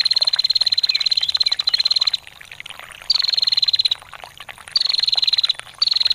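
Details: Ngetir calls of a female bar-winged prinia for songbird training: a two-second rattling trill, then shorter high ticking bursts about every one and a half seconds, with water trickling throughout.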